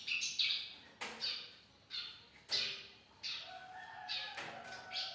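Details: Actively singing young bar-winged prinia, recorded for training songbirds: loud high chirps repeated about once a second, with faint lower whistled tones behind them.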